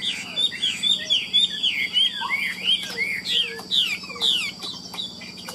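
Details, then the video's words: A captive Chinese hwamei that nods while singing elaborate, lilting phrases. Clear, bright whistled notes curve down and up in rapid series, with a low hum and a steady high tone behind. "Họa mi đẹp hót hay, Cao cầu đuôi lá vả, Gật gù luyến láy hót như máy"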